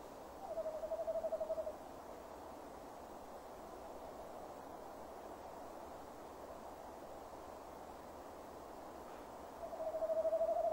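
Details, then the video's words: A male tawny owl at dusk beside a nest box, December 2015, calls twice: one wavering hoot near the start and another at the end, separated by about eight seconds of quiet background hiss. "Bosuil M roept"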